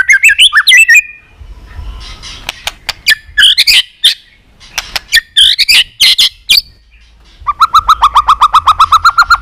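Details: White-rumped shama singing to provoke rivals: opening warbled whistles, scattered sharp clicks and short bursts, then a long, even rattle of rapid repeated notes.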